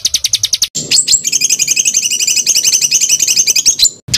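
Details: Small songbird with varied masteran fill: a few fast chirps, then a rich, jumbled warble of high twittering notes on two pitch bands, ending in an abrupt cut.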